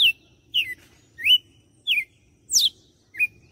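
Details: Red-cowled cardinal from Fortaleza, Ceará, Brazil, delivering the whip song: clear slurred whistles dropping in pitch, one every half second or so, a high steep descending sweep near the end, then a short rising note; quiet low hum underneath.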